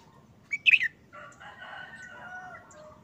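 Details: Short, simple song of a caged red-whiskered bulbul that has been molting for over a month: a single quick burst of slurred whistled notes, followed by a softer, sustained, crowing-like tone behind it.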